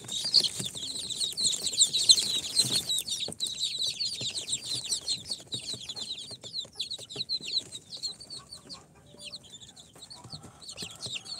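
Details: Newly hatched chicks, four days out of the incubator, of Sultan, Golden Sebright, Cochin and booted breeds, give loud crowded shrill peeps at first, thinning toward the end into scattered, softer cheeps.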